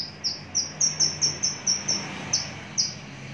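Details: Mature, long-kept Javan bush lark with a very large body, a kept songbird, delivers short high chirped notes in a quick series, about two per second with brief pauses, over a faint low hum.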